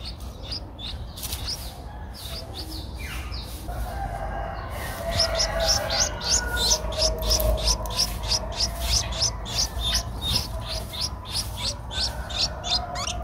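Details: Eleven-day-old Streak-eared Bulbul nestling recorded in Ubon Ratchathani, Thailand, in April 2023: sparse chirps at first, then a fast, fairly steady run of sharp high notes that grows louder halfway through, with low hum beneath.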